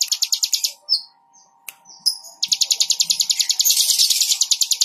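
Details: Bar-winged prinia singing a long-lasting song: a fast run of sharp, high repeated notes, a brief pause broken by a few short whistled slurs, then another rapid, steady series that grows louder and denser toward the end, over a faint constant hum.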